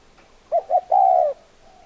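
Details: One phrase from a spotted dove: a pair of brief mellow coos, then a sustained level coo held for about half a second, against a quiet background.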